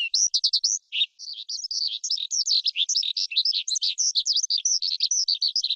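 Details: Forest skylark pouring out dense, twittering song, a short gap after the opening phrase, then a continuous jumble of chirps and warbled notes.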